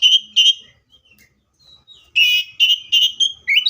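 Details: Seychelles magpie-robin song of rough, buzzy notes with rich overtones. Two bursts come first, then a quiet gap with a thin whistle, then four quick harsh notes ending in a rising whistle.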